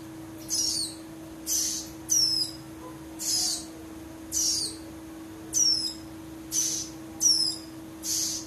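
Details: Ciblek rowo (prinia) chicks give harsh, hissing, very high calls, repeated about once a second, over a steady low electrical hum; the question is whether their voices tell male from female.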